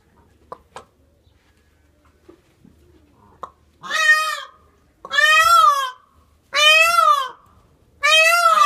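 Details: A yearling male Indian peafowl gives four loud, nasal, wailing calls, each under a second and arched in pitch, about every one and a half seconds, after a few soft knocks.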